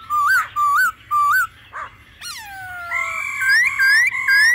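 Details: Laughingthrush song in a wild-forest voice style together with female calls: short rising whistled phrases in three evenly spaced bursts, a sharp downslurred note, then sustained bright whistles with upward flicks.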